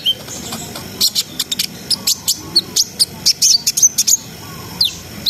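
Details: Brown-throated sunbird singing hard in a connected, trilling style to rouse breeding urge in untrained birds: quick bursts of very high sharp chips, loosely spaced, with a brief whistled note.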